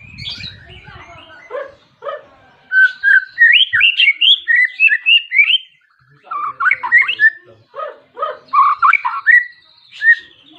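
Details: White-rumped shama in vigorous rival-calling song used to prompt other shamas to sing; quick series of loud whistled and warbled notes in two dense bursts separated by a short pause.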